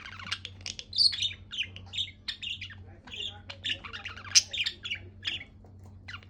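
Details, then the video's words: Budgerigar in a happy mood, chattering nonstop with bright, scratchy chirps and squeaky twitters in uneven bursts, one sharper peak near the middle, a faint low hum underneath. "Happy buggie chirping sound"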